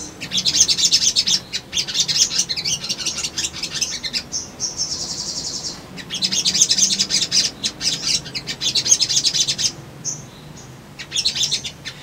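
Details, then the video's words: Excited male sunbird singing to provoke a response from rivals: long runs of rapid, high-pitched, scratchy twitters, interrupted by a steady thin whistled note midway and a brief pause near the end. "SOGON GACOR PANCINGAN BAHAN IJOAN❗ CUMA 1 MENIT❗PASTI RESPON"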